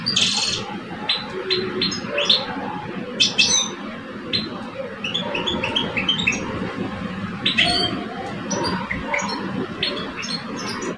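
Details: European goldfinch contest in Algeria: two caged males, an older bird against a two-year-old, exchange song; many quick, high, clipped notes and twittered clusters scattered across the stretch, over a persistent low rumble.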